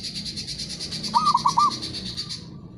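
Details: Local zebra dove giving one short coo phrase of about four quick, bubbling low notes. A steady, buzzy, high pulsed trill runs underneath almost throughout, then fades near the end.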